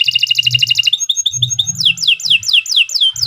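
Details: Canary singing: a fast stuttering high trill, short bubbling notes, then a run of loud, evenly spaced downward-slurred whistles; soft low rumble behind.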